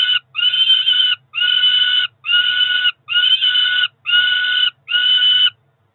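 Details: Two Peregrine falcon nestlings, roughly four weeks old, begging at a Cromer nest in June during a feed: six harsh, buzzy, flat screams of nearly a second each, evenly spaced, ending in quiet.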